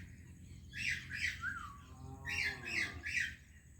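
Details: Greeting between two parrots, named as Indian and Pakistani: two harsh squawks and a falling slurred note, then a soft descending tonal sweep and three more squawks.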